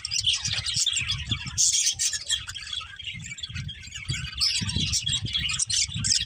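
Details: Breeding pair of budgerigars twittering in continuous high chatter, accompanied by repeated low rumbling thumps throughout.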